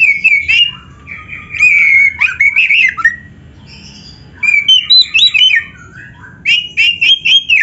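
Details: Oriental magpie-robin giving full gacor song with full isian, a masteran for training other birds: loud sweet whistled phrases with warbles and buzzy notes in bursts, separated by a brief quiet gap, then rapid repeated notes.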